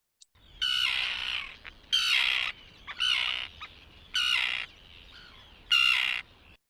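Common Tern giving five harsh, grating keeyer calls about every second and a half, each with a two-parted ke-ke break at the start.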